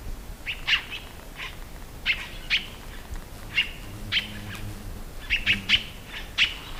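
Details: Song of a tiê-caburé: crisp high chirps delivered singly and in quick clusters of two or three, about a dozen notes, with a faint low rumble in the background.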